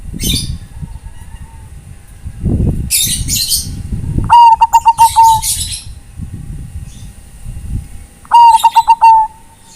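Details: Zebra dove, Bangkok type, calling companions for song tutoring; two pulsed cooing phrases about four seconds apart, each ending in a sustained note, over low thumping and rustling noises and loud hissing bursts.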